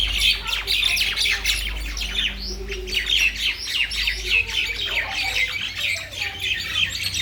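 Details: Mynas chattering in a Bangladeshi village: a dense, continuous stream of harsh squawks and sharp chirps from several birds, loud and busy throughout, with faint low rumble beneath.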